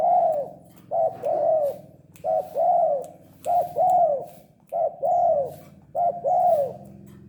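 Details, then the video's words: Spotted dove, a tame bird calling actively, repeats two-part cooing phrases, a brief note then a longer arched coo, roughly every 1.3 seconds over low indoor background hum. "Burung tekukur gacor jinak"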